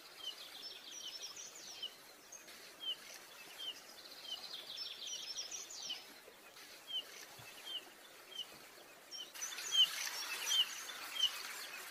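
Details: Yellow-rumped flycatcher recorded in Bogor gives short, high, clipped notes, some falling, against a busy background of thin trilling from other small birds.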